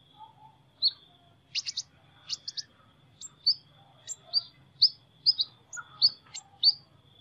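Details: Sunbird singing in an unusual voice: a series of short, high, sharp chirps and thin upslurred notes spaced about half a second apart, over a steady faint high hum and low background rumble.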